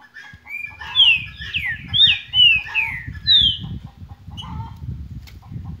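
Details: Green-winged saltator singing the song style called "Cadê meu boi": a phrase of clear, loud, downslurred whistled notes, bright and ringing, then a pause, with a low rumbling background noise throughout.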